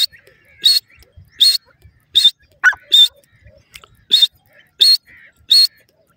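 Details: Grey francolin (irani teetar) calling: short bright notes repeated about once every three-quarters of a second, sharp and high-pitched, with faint scattered rustles between the calls.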